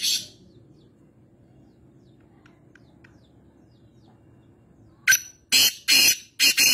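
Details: Black francolin (kala teetar) calling at home in Nawabshah, Pakistan: after a quiet stretch with a faint low hum, a burst of four loud, harsh, grating notes in quick succession.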